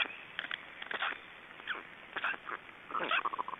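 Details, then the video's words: After a big fish is swallowed, Estonian black storks give scattered raspy bursts and, near the end, a few short squeaky, whistled notes in quick succession. "Estonian Black Storks - After swallowing the big fish"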